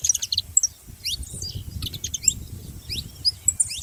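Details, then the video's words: High, rising chirp notes from a saffron finch, irregularly spaced in small clusters, over steady low rumbling noise. "Canário da terra fazendo barulho"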